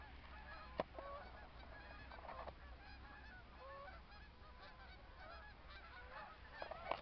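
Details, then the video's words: Snow geese in Michigan calling in a flock: a steady overlapping chorus of nasal, yelping honks with a few louder close calls over a low background rumble. "Snow Goose"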